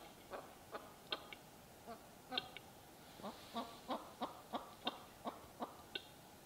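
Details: Western capercaillie displaying at a spring lek in East Lapland, Finland, 2022: sharp, dry knocking clicks, scattered at first, then quickening into a steady run of about three per second, over a quiet forest background.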